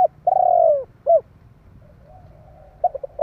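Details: Spotted dove call meant to provoke rival doves: a long, slightly falling coo and a short clipped coo, a pause, then stuttering quick coos opening the next phrase; faint low hum throughout.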